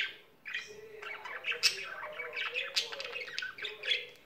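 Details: Pet budgerigar in full song, giving scratchy squawks mixed with rising chirps and harsh buzzy notes in an uneven, rambling run with short breaks.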